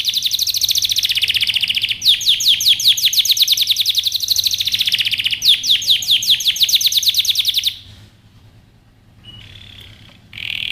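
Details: Training song for young canaries: long rapid trills of descending notes, about two to three notes a second grouped into dense rolls, broken by a short gap, then fading to near silence with a faint buzzy tone at the end.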